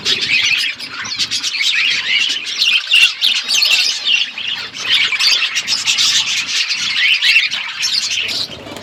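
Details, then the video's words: Parrot eating, recorded February 25, 2024: loud, crowded squawking and chirping from many birds, high and scratchy, with short clear whistled notes popping out of the chatter. "Beautiful Parrot eating food birds chirping sounds"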